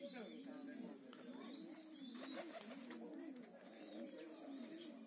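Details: Several homing pigeons giving low, throaty, undulating coos that blend into a steady hum, with soft rustles and scattered light clicks.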